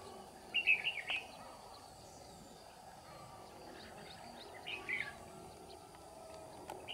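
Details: Red-whiskered bulbul decoy singing 'ché' style to lure wild rivals: two short, bubbly whistled phrases about four seconds apart over a constant low background hum.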